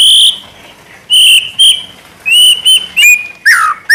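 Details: White-rumped shama song for provoking other shamas to sing: clear sustained high whistles, some flat and some slurred, in short separate phrases over about four seconds with quiet gaps between.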